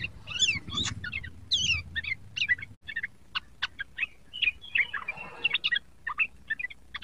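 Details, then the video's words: Learning sooty-headed bulbul, a young bird, pours out fast, varied chirps and slurred notes that thin into evenly spaced single chips, over a soft low rumble. "burung trucuk muda belajar bunyi"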